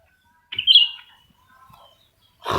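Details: Black-crested bulbul in a head-to-head singing match with another, both active; one clear rich whistled phrase sliding downward, a soft trailing note, then a brief rustling thump.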